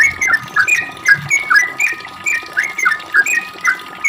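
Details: Sooty-headed bulbul delivering repeated short slurred phrases, each a dropping whistle, roughly three per second, in a long ropel song for drawing replies from other bulbuls.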